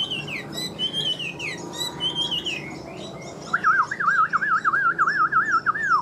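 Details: Chinese hwamei, caged, in fresh plumage and large-bodied, singing bright slurred whistles followed by a long, loud warbling trill that wavers up and down rhythmically.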